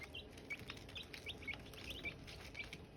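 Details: Silkie chicks and hatching eggs: clear, thin peeps, each a quick downward slur, repeat about every half second over a soft low hiss.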